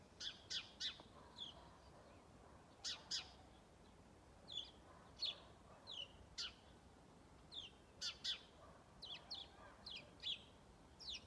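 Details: A lone house sparrow calling on Strömgatan in Haga on 21 December 2022: loud, sharp chirps in short bursts of two or three, repeated irregularly throughout, over a quiet background.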